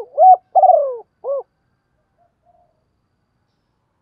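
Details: Decoy spotted dove of the deep 'giọng thổ' voice style, calling to lure and provoke wild doves: one clean three-part coo, a short rising note, a longer rolling falling note, a short final coo, then silence.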